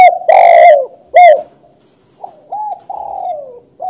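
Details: Loud, grating double coo from a spotted dove, a brief pause, then three gentler arched and descending notes, mellow and low-pitched.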